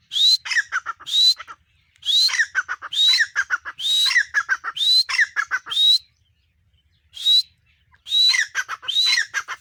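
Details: Female grey francolin giving a repeated call, each phrase starting with a high rising whistle followed by rapid harsh clucking notes, phrases in bursts with a short silent gap midway.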